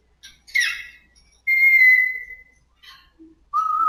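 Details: Indoor pet African grey parrot saying "good morning" for the first time. A brief raspy chatter, then a long steady whistle held for about a second, a few soft clicks, and a final level whistle.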